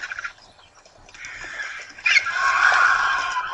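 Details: Hundreds of vultures gathered at a twice-weekly feeding site at breakfast time give harsh, raspy hisses and guttural squabbling that swell into a loud, continuous rasping chorus.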